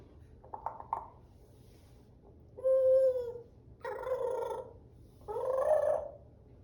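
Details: African grey parrot: a few soft clicks, then three long, full, harmonic calls spaced about a second apart. The first call is clear and tonal, and the later two are rougher and buzzier.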